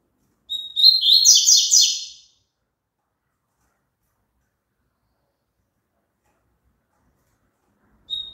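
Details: Double-collared seedeater singing, a recording intended to prompt caged birds to sing along: one phrase of a brief whistle followed by dense, rapid buzzy trills, then long silence before a short whistle at the end.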